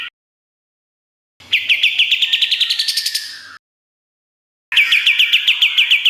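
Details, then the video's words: Kapas tembak in full 'gacor nembak' song with sharp fills, recorded as a training master for songbirds: bursts of rapid, evenly repeated high chirps, about four per second, separated by silent gaps. "Masteran Kapas Tembak Gacor Nembak Isian Tajam Full"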